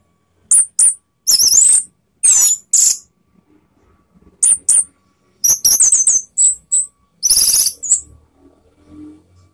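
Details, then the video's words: Orange-headed thrush song used to provoke rivals: bursts of high, sharp chattering and whistled notes in short clusters, separated by brief silences, with some faint clicks between phrases. "ANIS MERAH LAWAN ¦ PANCINGAN penuh TEMBAKAN ¦ KICAUAN Ngeplong"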